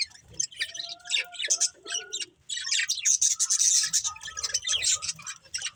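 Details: Budgerigars chattering with rapid high chirps and squawky notes, a few short whistled tones mixed in, a brief lull midway, then a loud run of scratchy warbling.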